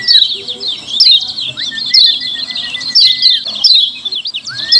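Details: Clear, loud 'ciak ciak' calls of lemon-bellied white-eye serving as a lure to provoke replies: bursts of high, scratchy twitter about once a second, accompanied by a sustained level whistle that starts and stops between bursts.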